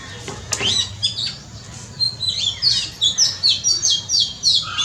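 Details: In a front yard, an Oriental magpie-robin gives a lively song of short rising and falling whistles and scratchy notes, about four per second, after a brief soft click at the start.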